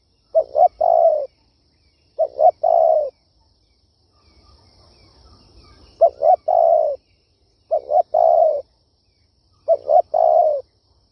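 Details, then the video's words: Hollow cooing of a Spotted dove in kích bổi luring style: five phrases of two quick coos and a longer falling coo, spaced about two seconds apart, with one longer pause holding low rumble. "Tiếng chim cu gáy siêu hay chuẩn kích bổi"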